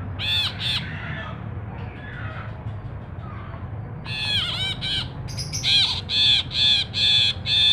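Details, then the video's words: Ashy bulbul in full song, recorded as a training and lure track for other birds: a few harsh, harmonic chattering notes, a pause, then loud squawky notes repeated about every half second toward the end over low background hum. "Brinji Kelabu Gacor"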